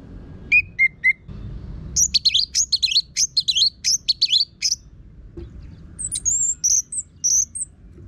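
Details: Energetic, harsh-voiced Orange-headed thrush singing to coax other birds into song: a few short whistled notes, then a dense, rapid stream of high, scratchy, rising-and-falling phrases, ending in scattered sharp chirps.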